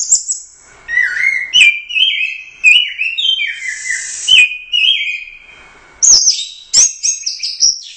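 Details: Champion orange-headed thrush from the Royal Cup in teler doyong style: a high whistle, then a rhythmic run of mellow downslurred notes, ending in loud rapid high phrases.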